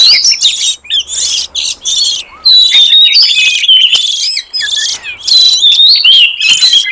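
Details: Oriental magpie-robin song played as a lure for wild forest birds: loud, dense bursts of clear high whistles, sweeping slurred notes and short scratchy chatter, broken by brief pauses, with no other sounds.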